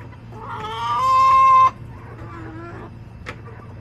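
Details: Chickens in a backyard, hens clucking and crowing: one loud, rich call swelling and held steady for about a second, then a softer drawn-out note and a sharp click, faint low hum.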